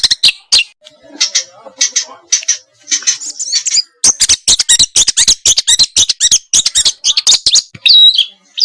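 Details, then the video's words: Small-bird song used as training material to spur a white-rumped shama into singing: scattered sharp high chips and short bursts at first, then after a pause a busy stream of rapid high notes ending in a clear whistle. "masteran burung kecil agar murai batu gacor"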